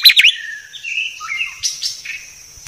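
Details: White-rumped shama, a clear training recording: bright whistled notes that slide down, then a long steady whistle with short rising and falling phrases. A thin high steady tone runs behind it.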